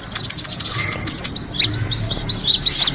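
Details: Kemade bird sound meant to attract birds: quick, sharp, sweeping chirps tumble over one another in a steady high chatter for three seconds.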